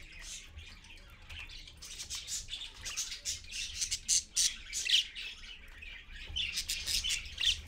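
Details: Parakeets at dawn, a parent with babies, live-streamed at 6:20 AM on 4.1.15; dense rapid chatter of scratchy squawks and chirps, nearly two a second, building after a quieter opening.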